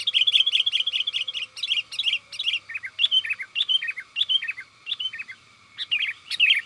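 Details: Sooty-headed bulbul, a lively caged singer, calling to companions, used as a lure for wild bulbuls in forest; rapid bright chirpy notes, then repeated short two- and three-note bubbling phrases, clear and loud.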